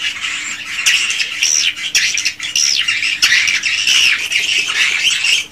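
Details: Swiftlets inside a swiftlet house, original recording. Harsh squawky chirps and curving squeaks overlap in loud bursts, separated by sharp clicks, with a faint steady low hum in the background.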